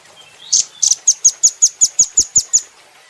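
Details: Velvet-fronted nuthatch, a cage bird recorded for training: after a blurred opening note, a brisk, evenly spaced string of about eleven sharp, high-pitched chips fills two seconds.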